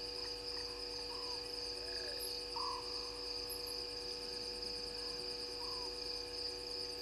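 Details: At a waterhole in Djuma Game Reserve, South Africa, a Scops owl gives brief low purring trills at 00:16, a few seconds apart, faint within a constant high insect chorus and steady droning tones.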